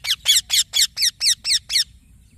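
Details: Young green parrot producing eight loud, harsh chirps in a steady rhythm of about four per second, then falling silent.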